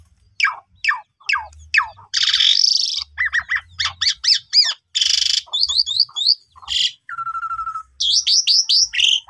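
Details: Asian pied starling song used as a lure to provoke silent starlings into singing: a varied, loud mix of rapid downslurred whistles, harsh buzzy bursts, a long flat whistle and repeated rising notes.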